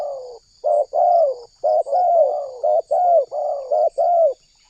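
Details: Spotted dove calling vigorously in Indonesia, for luring wild doves into a response: a dense run of about ten mellow coo notes, short and long alternating, almost without pause.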